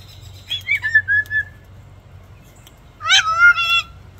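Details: Lani, a rescued female Moluccan (salmon-crested) cockatoo, performs an act she developed herself. She gives two bursts of husky, harmonic vocal sounds, the first sliding down, the second rising then falling, with quiet room hum between.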